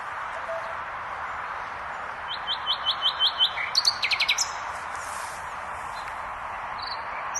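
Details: Common nightingale song: a run of about six evenly spaced, sharp repeated notes, then a fast stuttering burst of rapid clicks and a brief buzzy ending. A steady hiss of background noise runs throughout.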